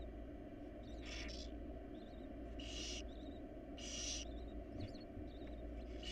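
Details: Barn owls of a wild family in their nest box make rasping, breathy hisses that come in short bursts of varying strength, with faint chirpy ticks between them and a constant low background hum.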